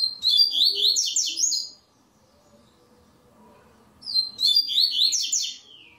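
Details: Double-collared seedeater singing in an online tournament stage: two loud, fast, high whistled phrases, each about 1.5 seconds, separated by over two seconds of near silence.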